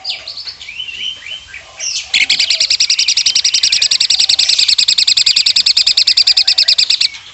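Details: Asian pied starling used as a master bird for contest birds, its one filler being woodpecker mimicry: opening slurred whistles give way to a long, steady, machine-gun rattle of hard pulses, roughly three to four per second, for five seconds.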